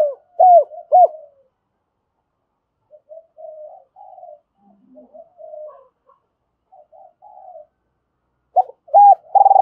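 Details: Spotted dove decoy calling to attract birds. Two clear arched coos open the recording, then soft scattered murmurs, and a fresh burst of coos at the end.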